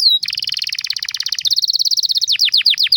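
A canary sings a fast, high rolling trill of rapidly repeated notes, then slows into a few loud, downward-sweeping whistles. No other sounds.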